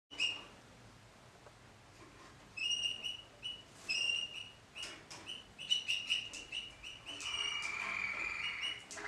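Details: Malinois Waterslager canary singing in 2014: short bright whistled notes and trills at a steady high pitch, broken by pauses, ending in a longer rolling phrase.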